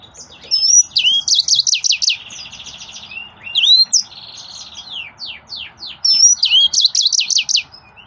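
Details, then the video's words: Yellow-fronted canary, known as green singer or green finch, singing a lively high song of sweeping whistles, rapid trills and buzzy rattles, in three loud phrases separated by softer buzzing. "Green Singer Bird Finches"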